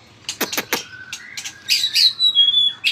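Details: White-rumped shama singing: three sharp clicks open, followed by a long low steady whistle and then a high, bright whistled phrase with a sustained pure note.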